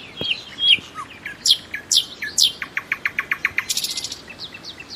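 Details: Common nightingale song opening with slurred whistles and a low dropping note, then crisp chips speeding into a fast, evenly repeated series of clicks and a brief harsh buzz.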